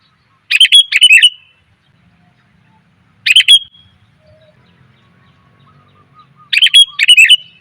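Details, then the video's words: A female sooty-headed bulbul calls to draw in males: three bursts of quick bubbly chirps at uneven gaps, with a faint low hum underneath. "suara pikat burung kutilang betina,TOP bangat memanggil pejantan"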